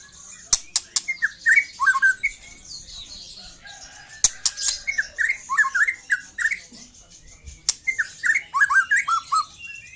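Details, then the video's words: Young white-rumped shama delivering three bursts of quick, downward-bending whistled notes, each run opened by sharp clicks, with a thin high hiss throughout. "KICAU BURUNG MURAI MUDA LEPAS TROTOL"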